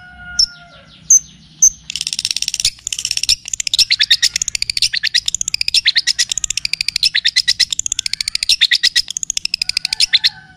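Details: Long-tailed shrike (cendet, pentet) on a training track that also features kapas tembak and cililin; three high chirps lead into a long, fast, buzzy rattling trill, with faint whistles from other birds at the edges.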